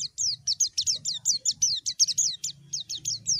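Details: A white-eye calling a rival gives a steady series of high, downslurred chirps, roughly four per second, each a thin falling whistle, over a low background hum.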